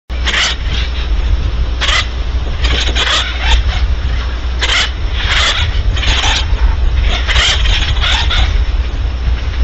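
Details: Barn owl seen in daylight at Audubon Starr Ranch, California; a series of harsh, hissing noise bursts, each about a third of a second long, repeated irregularly over a steady low rumble.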